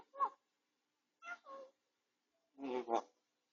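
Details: Soft indoor recording of a recovering pet grey parrot with an injured beak tip, filmed on a home camera: three short muffled word-like utterances, the last a louder two-syllable phrase.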